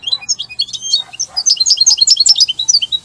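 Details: Italian goldfinch delivering lively song: high, jangling twittering notes in a steady, rapid flow of chirps and sweet tweets, with a faint low hum underneath.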